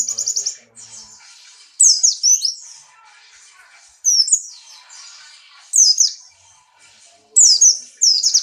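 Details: Buxtoni white-eye in strong breeding condition, hopping and singing hard: five loud bursts of very high, sweeping, slurred twitters, roughly every two seconds, with a faint continuous chatter and a low background hum between phrases.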